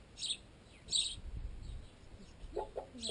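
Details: Sparrows feeding on a piece of baguette clamped in a tent guy line, juveniles among them. Two sharp high chirps early on, then a pause, then thudding pecks and another chirp at the end.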